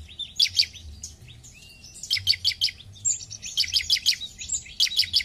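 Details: Bar-winged prinia song of quick, high, piercing chip series delivered in short bursts, with a thin whistled note between phrases and soft low background noise.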